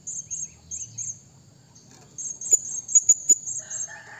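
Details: Blue-crowned hanging parrot calling a rival: very high, thin, shrill notes in short bursts, then a run of sharp piercing chips near the end. Quiet background.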